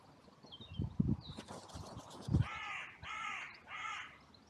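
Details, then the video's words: Crows calling in a sunny cemetery, recorded by a trail camera during the outcry that followed two crows fighting. Thuds and rustling come first, then three hoarse caws in quick succession. "Crows and Crow Sounds"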